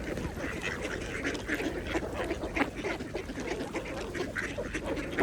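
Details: Mallard ducks feeding at a pond, giving a busy stream of short, rasping quacks and chatter with constant splashing and dabbling water noise throughout; no talking or music.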